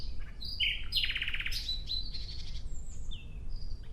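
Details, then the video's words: Short nightingale phrase outdoors: a few rising notes lead into a fast buzzing trill, followed by scattered thin whistles and a falling slur, against low background noise. "Relaxing clear sound of Nightingale"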